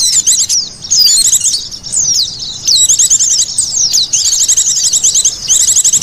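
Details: White-eye calls played to lure wild birds: continuous, very high twittering with rapid stuttering trills and slurred descending notes, dipping briefly in loudness near the second mark.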